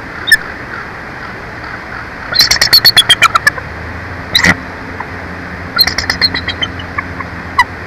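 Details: At the Big Bear Lake nest, a bald eagle calls during an incubation shift change on a nest camera: quick runs of sharp, high chittering notes in several bursts, with softer single chirps between.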